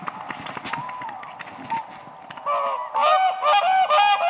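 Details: Whooper swans on spring ice start with soft, scattered calling, then build into rapid, loud trumpeting honks repeated about twice a second as the dancing birds grow excited.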